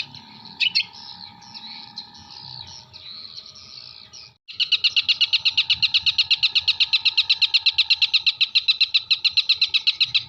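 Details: Long-tailed shrike from Jember singing mimicked material (kuntilanak, sparrow, tengkek buto): a brief scratchy chatter, a short pause, then a rapid, even, buzzy trill of about four pulses per second, over a faint hum.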